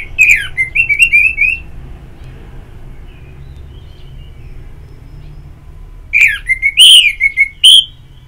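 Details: Singing orange-headed thrush from ngeplong therapy audio to encourage singing: a fluttering run of wavering whistles opens, followed by a long quiet stretch with low background rumble, then sharp, loud whistled notes return.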